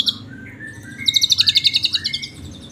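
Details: An Asian pied starling (jalak suren) sings with canary filler, suited as tutoring audio: a high chirp and a few slurred whistles, then a fast canary-like trill of about fifteen bright, evenly spaced notes.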